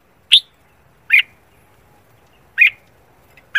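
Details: Red-whiskered bulbul singing in the morning, giving short, bright chirped notes, four in under four seconds at uneven spacing, against an otherwise quiet background.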